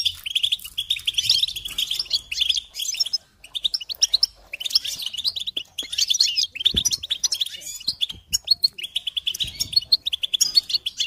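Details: Goldfinch song played to teach and stimulate young songbirds: rapid, bright twittering and tinkling phrases with buzzy trills, continuous with short pauses, high-pitched, with faint low thumps.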